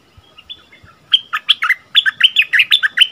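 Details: Bulbul known locally as merbah lekir, delivering a doubled song phrase, recorded 24 February 2021: faint soft notes, then a lively string of loud, clear, up-and-down whistled chirps in quick succession.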